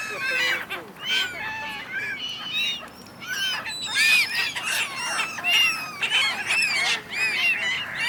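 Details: Winter flock of gulls arguing on the Dnipro River, Kyiv, Ukraine, on 3 January 2023; a steady stream of loud, arching, nasal yelps from many birds overlapping, some calls sliding up then down, dense and restless throughout.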